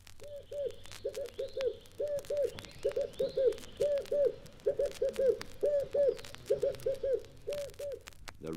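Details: In East Africa, a Red-eyed Dove, one of the region's largest doves, gives a steady run of deep, hollow coos in quick pairs and triplets, with faint chirps from other birds behind it.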